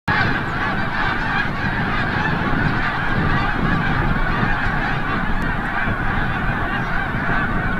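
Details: Large flock of snow geese returning from the bay at sunset, Forsythe National Wildlife Refuge, Oceanville, New Jersey: continuous dense overlapping chorus of nasal, high-pitched honks with a low rumble underneath.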